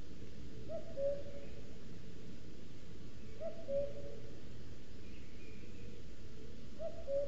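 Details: Territorial male common cuckoo heard from a nest webcam in Sierra de Guadarrama National Park pine forest; three falling two-note cu-coo phrases repeated roughly every three seconds, mellow and low, over steady low-frequency noise and faint distant chirps.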